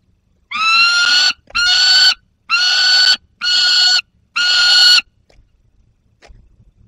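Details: Young peregrine falcon with prey in the Barycz Valley, August 2022: five grating, nasal screams of similar length given at an even rhythm, followed by near silence with faint background noise.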